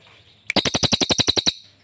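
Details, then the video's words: Cililin bursting into a rapid, loud rattling trill of about a dozen hard notes in one second after a sharp opening chirp. "cililin gacor dor atas bawa nembak terus"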